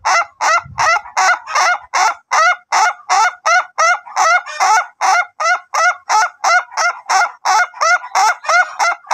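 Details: Long, unbroken crowing from an Ayam Ketawa, a laughing chicken being trained for crows lasting up to three minutes. Some twenty-five short, bright, stuttering syllables repeat quickly and evenly for nine seconds, with a faint low thump near the start.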